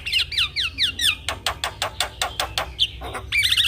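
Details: Javan myna, singing vigorously with nodding head, as master for young mynas: a run of falling whistled slurs, then a steady series of harsh buzzy strokes, ending in warbling whistles.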